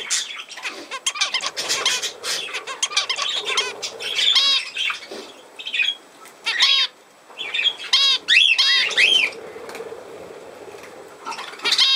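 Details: Budgerigar warbling from a recording dated 17 November 2024: a busy stream of scratchy clicks and squeaks broken by looping whistled notes that rise and fall, loudest toward the middle.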